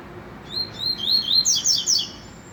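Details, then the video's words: Trovão-style song of a rusty-collared seedeater: a quick sequence of high whistled slurs that builds into a bright, tumbling cluster of rapid chirped notes, over a quiet background hiss. "Coleiro - trovão"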